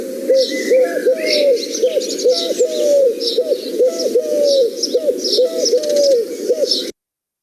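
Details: Eurasian collared dove cooing in a garden: low, hollow three-note phrases repeated in quick, overlapping succession, with small birds chirping and twittering high above.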